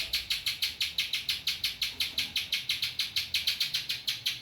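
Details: Spiderhunter singing ciblek-style material, a rapid string of bright, high, clipped notes repeated evenly about three times each second.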